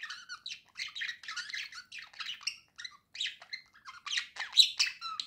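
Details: Pet budgerigar pair in cheerful song, a dense, continuous stream of quick chattering chirps and squeaky notes with hardly any gaps, quieter than the room's loudest moments, ending in a sharper high squeak.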